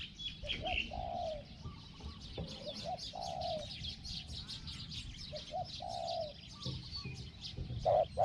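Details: Decoy spotted dove calling to draw in a wild bird, described as small-voiced. Moderate hoarse coos, short notes followed by longer drawn-out ones, under a dense shrill insect chorus.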